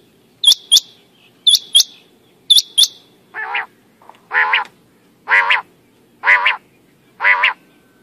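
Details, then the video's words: A male common quail calling: three quick bursts of sharp, high, liquid notes, then five nasal, buzzy calls about once a second. "Male Quail Sound"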